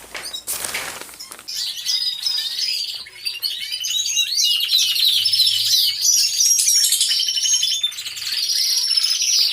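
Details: Canaries in an aviary all singing at once, captured by a hidden camera. A short rushing noise opens, then a dense, continuous chorus of high rapid trills and chirps builds and holds steady.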